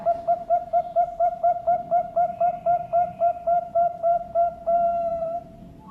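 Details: Competition-quality zebra dove singing: a quick run of about twenty short, mellow cooing notes, evenly repeated roughly four per second, ending in one longer sustained coo, over a quiet background.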